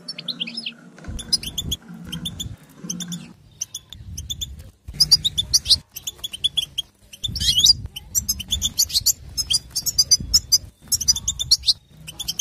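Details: Group 'batbata' calling of female European goldfinches, used to make males sing and mate: dense, rapid, high twittering chirps in bursts separated by short breaks, with low background hum.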